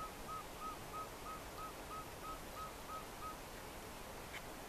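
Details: An Andean pygmy owl (Glaucidium jardinii) at Chingaza National Park, Siecha, Cundinamarca, Colombia, gives a steady run of about ten hollow, whistled toots, roughly three per second, over a constant rushing background like wind or surf.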